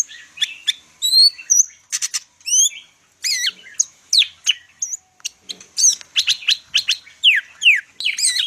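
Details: Medan greater green leafbird (cucak ijo) in energetic song: clear upslurred and downslurred whistles alternating with clicky chips, repeated in quick succession for over eight seconds.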